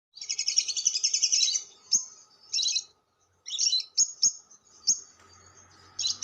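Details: Lovebird chatter used as a lure sound, long ngekek panjang style: loud high buzzy rattling bursts, a long trill at the start then shorter clipped chirps and bursts separated by brief pauses.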